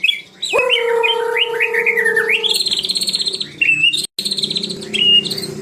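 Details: White-rumped shama singing loud fluting whistles and rising slurred notes, then fast rattling pulsed phrases and a clear high whistle, with a steady low hum behind.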